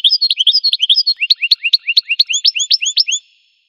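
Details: Goldfinch singing a fast run of sweet, clean chirped notes, about two per second, some rising and some slurred, with a brief shift in the pattern midway before it stops; no other sounds.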